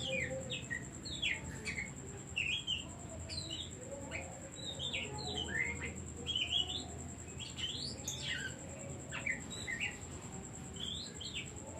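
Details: Extended Oriental magpie-robin song used to goad other birds into singing: a long, busy sequence of short whistled slurs and chirps, many rising or falling, repeated with little pause, under a steady high electronic tone.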